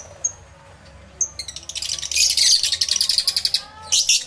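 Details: Many lovebirds in an aviary. A few isolated high chips lead into loud, rapid, shrill chattering, a fast stream of harsh high notes, which pauses briefly before a final burst.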